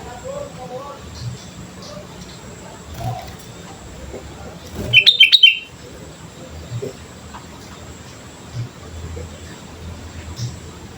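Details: Sooty-headed bulbul singing keenly, played to coax other birds into song: one burst of rapid, tumbling whistled notes midway, with low rumble and faint distant chirps around it.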